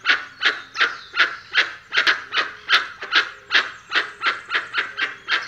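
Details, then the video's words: Dusky-legged Guan (Penelope obscura) call: a loud series of harsh, honking yelps, about two or three each second, steady and insistent, with little else heard behind. "Canto do Jacuguaçu Penelope Obscura"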